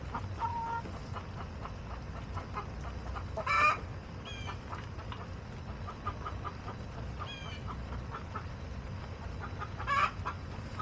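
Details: Hens in a backyard flock clucking, recorded August 28, 2024: a few sharp, harsh squawking bursts stand out among soft, scattered clucks, set against a steady low hum.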